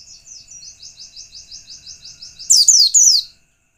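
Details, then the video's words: White-eye singing a lure song meant to provoke other white-eyes: a soft, rapid, high trill of repeated slurred notes, about four per second, then three loud, sharp, descending twittered phrases. "pleci lain pasti ngalas bila mendengar pancingan pleci satu ini"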